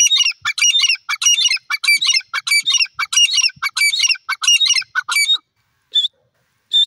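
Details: Wild francolin (teetar) giving a long run of loud, rasping squawky phrases in quick succession, each a short harsh burst, before falling silent apart from two brief higher notes near the end.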